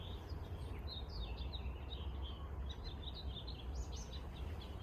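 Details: House finch singing in Jericho Park, Vancouver, early March 2021: a long, quick warble of bright notes wavering up and down, ending in a raspy upward trill, soft against a steady low rumble.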